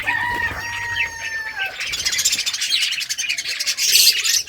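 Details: Budgerigars at play: a drawn-out whistled note opens, then a rapid, dense stream of buzzy chirps from several birds.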